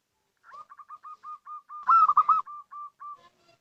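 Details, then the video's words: Local zebra dove calling to lure: a steady string of short, mellow coo notes at an even pace, with one louder rolling trill in the middle, quiet background. "Suara Panggilan PERKUTUT LOKAL , Paling Cocok Untuk Pancingan"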